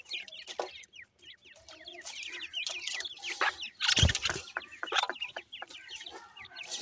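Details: Feeding teetar chicks chatter in rapid high chirps, many calling at once. Low thumps and scraping noises break in midway.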